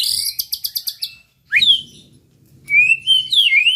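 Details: Shama song meant to make rival birds agitated: a quick burst of repeated high notes, a pause, a rising whistled slur, then clear, warbling whistles that sweep up and down.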